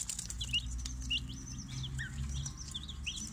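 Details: Baby chicks of two mixed batches kept together in a brooder; many thin high peeps and short upslurred cheeps overlapping from several birds, over a steady low hum.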